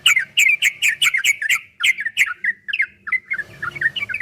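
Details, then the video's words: Yellow-vented bulbul delivering a rapid, chattering string of warbled chirps that slows into softer, spaced notes, from a 2023 'ropel' recording intended to make other bulbuls sing back. "Suara burung trucukan MASTERAN TRUCUK ROPEL 2023 TERBARU ‼️PASTI GACOR, TRUCUKAN ROPEL PANJANG"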